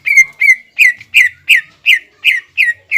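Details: Caged greater green leafbird singing hard to provoke a rival into a heated response: a steady run of loud, clear whistled notes near one pitch, each with a quick downward slur, repeated about three times a second.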